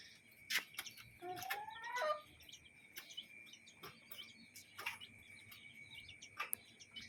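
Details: A chicken among chicks in a yard and coop gives a short, rising, tonal call, surrounded by high chick peeping and a few sharp clicks and knocks.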